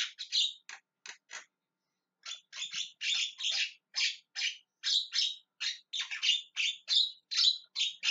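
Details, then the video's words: Javan myna calling over and over, harsh rasping squawks repeated at a brisk, uneven pace of more than two per second after a brief early pause. "JALAK KEBO TERIAK TERIAK MEMANGGIL"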